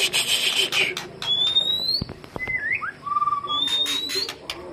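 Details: White-rumped shama lure song: a long rising whistle, a short upslurred note and a low steady whistle, mixed with sharp clicks and broadband knocks and a faint low hum.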